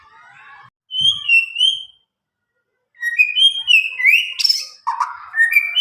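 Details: White-rumped shama from Medan, around nine months old and newly past juvenile plumage, untutored, delivering clear ringing whistled phrases that rise and fall, followed by a rapid, varied run of sweet and harsher notes.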